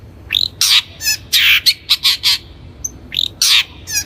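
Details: Long-tailed Shrike, called cendet, on a training lure recording: dense, scratchy, rasping notes in a rapid jumble with strong overtones, broken by a tiny high tick and a quick rising note.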